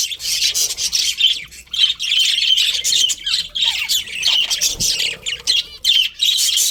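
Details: A captive budgie colony kept for breeding chirps and squawks continuously. Many birds overlap in a bright, high, scratchy chorus with sharp chips and short whistled notes throughout.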